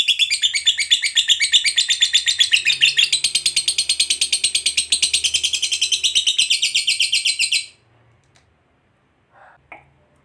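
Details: Lovebird ngekek panjang song, played to make other lovebirds sing: a long rapid trill of high buzzy chattering notes, about seven seconds, shifting pitch midway, then silence with a few faint short notes.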